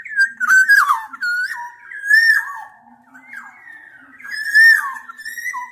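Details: Fluid whistled song of a black-naped oriole, nearly continuous slurred notes bending up and down, with a few louder bursts and soft quieter passages between.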